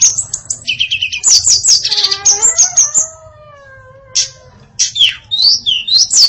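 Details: A female hill blue flycatcher delivers a varied song, rapid high chirped notes in a dense run, a brief pause, then scattered sharp downslurred whistles.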